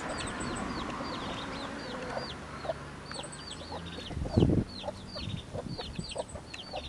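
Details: Chicks about a week old, peeping together: many short high downward-curving chirps overlapping throughout, with a low steady hum and a brief thump midway.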